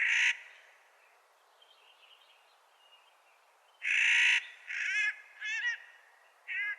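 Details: Clark's nutcracker in spring utters a series of loud, harsh, throaty calls, several with a wavering, quavering edge. They come singly and in close pairs, with a faint high twittering from another bird between them.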